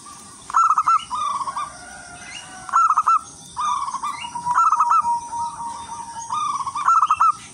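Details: A local wild zebra dove gives a melodious, rhythmic song used to lure other zebra doves: quick beaded coos in short phrases, several in succession, with thin higher bird notes around them.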